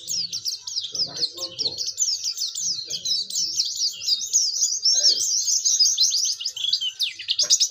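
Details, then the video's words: Singing Oriental white-eye used as a lure to set other white-eyes singing: a rapid, unbroken run of high, sweet chattering twitters, with low human voices murmuring briefly near the start. "pleci gacor belajar buka paruh"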